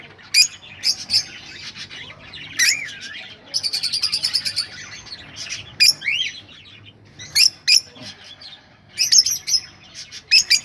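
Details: Rosellas, with sounds meant to prompt breeding: sharp high chips, swooping whistled notes rising and falling, and a rapid even trill of about a dozen notes, then more spaced chips and bursts.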